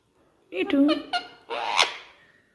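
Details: Caged-indoor pet rose-ringed parakeet mimicking human speech while looking in a mirror: clear voice-like syllables followed by a harsh, rising screech, in a quiet room.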